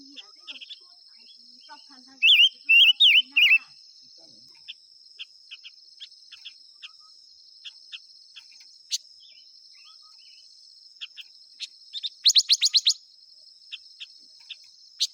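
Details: Five-coloured bird singing one short burst of four loud warbled phrases early on, followed by a long stretch of faint ticks and a later rapid buzzy trill, all over a continuous shrill insect hum.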